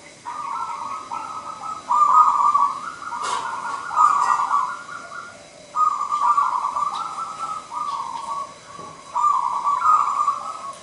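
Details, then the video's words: Zebra dove, a local wild-type bird singing at a contest, gives a loud, full song: long warbling cooing phrases near one pitch, each a few seconds long, separated by short pauses, with faint background noise. "Perkutut Gacor Manggung Nggayer Lokal Alam suara besar"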